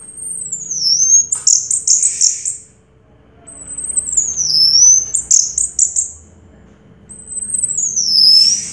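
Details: Winning orange-headed thrush from a 2022 contest, giving very high thin whistles that slide downward, each followed by a brief buzzy chatter, repeated about every three seconds.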